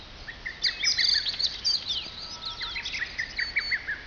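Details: A shower of birdsong in the forest below Mount Fuji, Fujiyoshida, Japan: rapid high twitters and trilled phrases overlap, with quick lower chirps repeated in short runs, several singers together, faint steady hiss behind.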